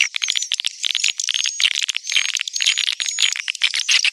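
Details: Swiftlet call for luring young birds: busy, overlapping bright chirps and twitters. A faint, level high whistle recurs above them.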